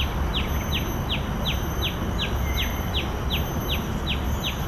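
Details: Repeated sharp, high downslurred notes from a common tailorbird at Bidadari, Singapore, about a dozen evenly paced calls, with a brief fainter lower note midway and a constant low rumble behind.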